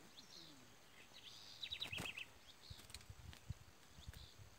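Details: Curió (Chestnut-bellied Seed-Finch) singing after a brief fight with a loose black curió that was then successfully caught. A short, quick phrase of bright notes with a descending run, amid rustling, footsteps and outdoor noise.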